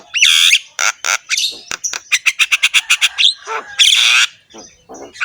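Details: Harsh-voiced Javan myna, head-bobbing in full rich song, used to train other mynas: loud broad squawks, then a quick even series of about ten sharp clicking notes, then another long rasping squawk and softer chatter.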